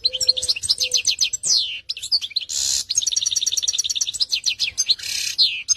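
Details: Canary in full song, pouring out rapid high chirps and quick descending whistled sweeps in dense bursts, with short buzzy rasps between phrases and a few low soft notes at the start.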